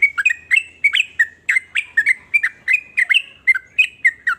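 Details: Sooty-headed bulbul song of many kinds, said to make other bulbuls sing along: rapid, rhythmic, liquid whistled notes, dipping and rising, roughly three a second without a break.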